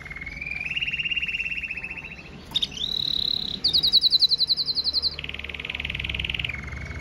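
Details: Powerful song of a red mosaic agate canary, linking rolling trills at several pitches, a sliding whistle, a very high fast trill and a lower buzzing roll.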